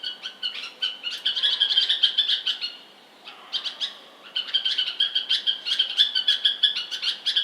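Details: Bulbul chirping: fast run of bright, sharp chirps repeated several times a second, briefly pausing after three seconds, then resuming in a steady chattering stream.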